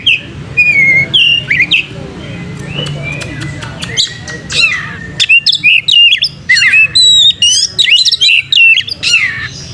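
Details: Oriental magpie-robin lure song meant to trigger tail-spreading display: a few soft whistles, then increasingly dense runs of sharp high chips, squeaky slurred notes and brief rattles.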